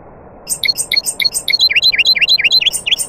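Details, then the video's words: Nightingale song among other birds: a fast run of high chattering notes that shifts into a long string of quick, sweeping V-shaped whistles, each repeated several times a second, continuous and loud over low hiss. "Taghreed nightingale bird"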